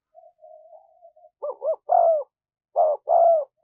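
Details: Spotted dove cooing for luring wild doves: soft, low murmuring notes lead into two loud two-part coos, a short throaty note followed by a longer, slightly falling one, repeated about once a second.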